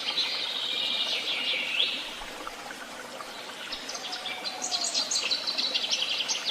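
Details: Birds at Tehidy Woods: a bright burst of high chirping and trills at the start fades into a steady rushing background, then sharp repeated ticking notes and short chirps return near the end.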